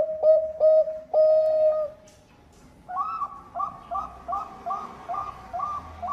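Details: Zebra dove of the Bangkok type, a strong singer used as a lure so idle doves start singing: three drawn-out low tonal coos, a short gap, then a run of eight quicker, bouncing two-pitched coo notes.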